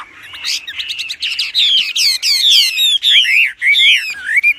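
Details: Active Wambi giving its loud master song for bird training: fast high chirps building into long descending whistled slurs, repeated in bursts with short gaps.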